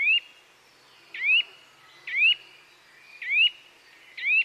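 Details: Relaxing bird sounds: a single bird gives short rising whistles, each sliding upward sharply, five notes spaced about one second apart, with soft background noise.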